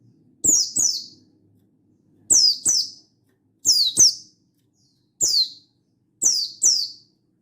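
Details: Mountain white-eye calling out to a rival, recorded 16/8/22, repeats five quick pairs of bright downslurred chirps, roughly one pair every second and a half, in a quiet background.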